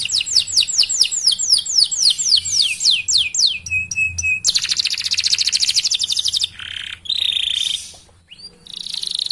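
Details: Canary singing as a model for other canaries: a run of rhythmic falling whistled notes, a brief flat tone, a long fast buzzy trill, then lower harsh rasping phrases and quiet gaps.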